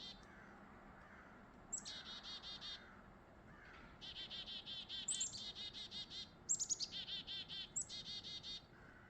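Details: A pair of chickadees singing on a foggy, mild winter morning: high, thin opening note followed by runs of quick, buzzy 'dee' notes, repeated in several bursts over a quiet background.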